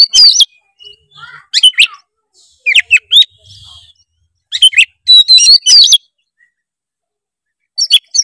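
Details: Oriental magpie-robin singing loudly and clearly, used as a lure to get a lazy young bird singing; bursts of sharp, sweeping whistles and chirps separated by short silences, the last phrase arriving after a long gap.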